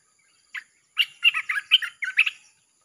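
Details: Red-whiskered bulbul song for luring wild birds: one short introductory note, then a lively phrase of about eight rich, rolling whistled notes over a little more than a second.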